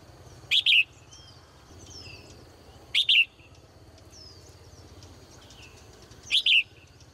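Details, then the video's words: In the morning a caged female bird gives quick doubled chirps, sharp and high, spaced about three seconds apart, while faint twittering and soft hiss continue in the background. "นกตัวเมียร้องเจื้อยแจ้วในยามเช้า , เสียงนกร้องในกรง"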